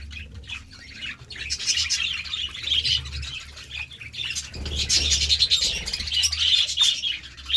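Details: Several budgies pecking at seeds and fresh vegetables give continuous high, twittering warbles and quick chirps, with a low background rumble.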